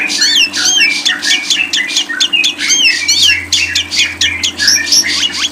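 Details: Lovebird singing, recorded as masteran audio: loud, continuous chatter of wavy rising-and-falling chirps, packed closely together, with a low hum in the background.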